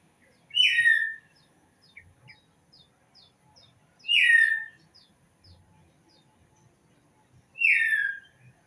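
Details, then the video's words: Strong bird call repeated about every three and a half seconds, each note sliding down from high to mid pitch, with soft, quick high chirps scattered between the calls. "Suara Burung"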